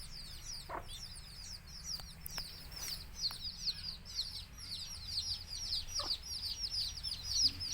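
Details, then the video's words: A flock of baby chicks of a native chicken breed chirp almost without pause. Their high, downward-slurred peeps come several per second. Occasional soft clucks and clicks sound as a mother hen calls the chicks to feed. "Cute Baby Chicks Chirping Sounds"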